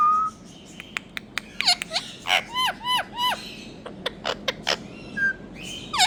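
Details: Indian rose-ringed parakeet calling: scattered sharp clicks and ticks, then a series of five harsh, downward-sliding screeches in quick succession, followed by more short clipped notes and a final screech.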